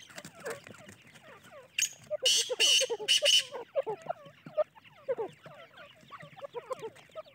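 Francolin chicks give a steady stream of soft, overlapping peeps and chirps, about two each second, broken by a few loud rustling bursts.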